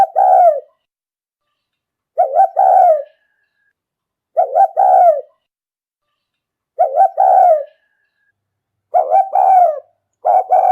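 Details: Decoy spotted dove calling in the rút bổi style meant to draw in wild birds. Five throaty double coos come roughly every two seconds, each ending in a drawn-out, falling note. No other sounds.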